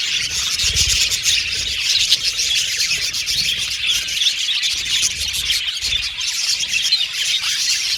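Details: Budgerigars in a colony aviary produce an unbroken, buzzy chorus of high twitters and chirps, loud and even over the whole stretch.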